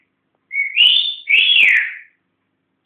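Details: Pet African grey parrot, kept indoors and learning to talk, gives two loud, clear whistles: a level note sliding up into a high tone, then a second long whistle arching down, with quiet room background.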